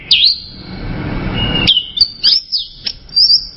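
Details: Orange-headed thrush singing: a loud, looping whistled note that swoops down and up, then a series of short, sharp high chirps and slurred whistles, spaced irregularly.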